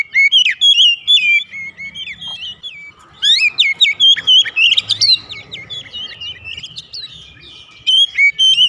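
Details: Oriental magpie-robin song played as a lure to get other birds singing: loud, varied whistled phrases with sharp slurred notes, chattering trills and quick rising-falling sweeps, delivered in dense bursts with a brief lull midway, against a quiet background.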